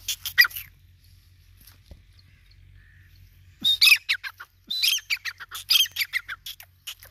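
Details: Grey francolin (desi teetar) giving bursts of harsh, squeaky repeated notes, a short loud phrase at the start, then a pause with faint noise, then two fast rhythmic runs of scratchy calls.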